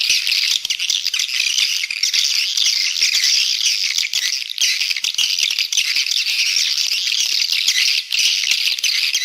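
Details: Lure call of swiftlets, used to draw birds in and grow the population: a continuous, crowded mass of shrill, rattling chirps from many birds, steady throughout with only a few short breaks.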